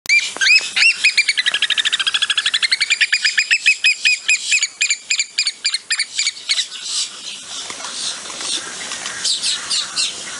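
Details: A male American oystercatcher gives loud, shrill piping: a few rising whistles run into a fast string of sharp peeps, then slower, harsher notes to the end.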